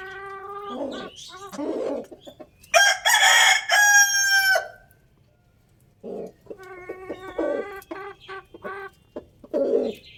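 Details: Rooster crowing loudly: a harsh, drawn-out cock-a-doodle-doo with a rising start and long held ending, preceded by short clucks and followed by more clucking and softer calls from the flock.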